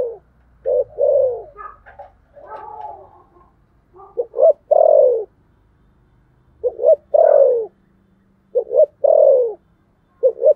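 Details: Spotted dove giving a contest coo in the style called thổ sấm: two short soft notes, then a long, loud, downward-sliding coo, repeated roughly every two seconds. Fainter burbling coos from other birds lie between phrases.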